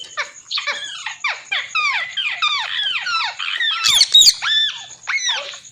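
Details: A pet green parrot called Mitthu, being urged to talk, gives a rapid run of harsh, downward-slurred squawks, about three or four a second, over a steady high-pitched whine.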